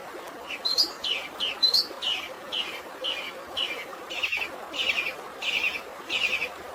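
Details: Long-tailed shrike with fighting-sparrow filler, set against natural water sounds for stressed birds. Evenly spaced, slightly buzzy chirps come about every half second, with a few brighter whistled notes early on, over constant watery rushing.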